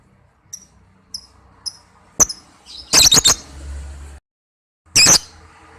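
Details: Lovebird calls used as a lure recording for trapping birds: faint high chirps repeated about every half second, then a burst of harsh, shrill, broadband squawks in quick succession, and a final loud screech after a brief silence.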